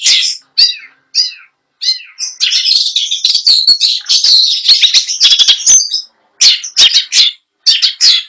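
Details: Caged long-tailed shrike singing a competition-style song packed with mimicked phrases: short chirps and harsh notes, then a dense rolling stretch of scratchy, chattering phrases before sharper separated calls.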